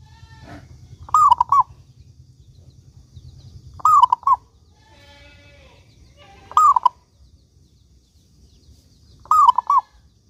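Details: Active local zebra dove song used to lure other doves to sing: four matching phrases repeated about every two and a half seconds, each a long coo then short rolled notes, with faint background sounds between.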